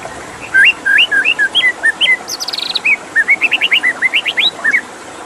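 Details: White-rumped shama singing a lively run of clear whistled notes, upslurred loops around mid-pitch, then a quick high rattle and a fast series of rising chirps, over a steady background hiss of running water.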